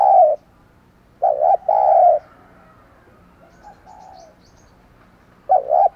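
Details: Decoy spotted dove calling to attract wild doves: loud low hollow coos in short bursts, a faint softer reply in the quiet middle, then another stuttered coo at the end.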